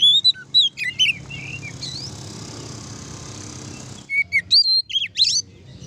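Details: Oriental magpie-robin in ngeplong song, meant to agitate other magpie-robins into full song: bright whistled slurs and chirps at the start and end, with a hissing noise between the bouts.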